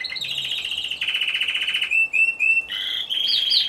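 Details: Competition song of a lone Timbrado Español canary, individual category C2, judged 26 November 2015. Rapid buzzy rolls give way to short separated metallic notes and then resume as bright rattling trills.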